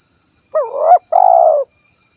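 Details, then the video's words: A two-part coo from a spotted dove of the 'kuk 1' variety in Cilacap, Central Java. It opens with a bending, upward-swelling note and follows with a sustained, purring coo that sinks slightly at the close. A faint steady whine is present. "SUARA BURUNG TEKUKUR / DERKUKU KUK 1 GACOR"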